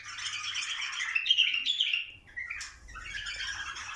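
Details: Stimulating bulbuls to mate: a tight cluster of bright chirps and squawks swells around the middle, drops briefly, then resumes as softer continuous chatter.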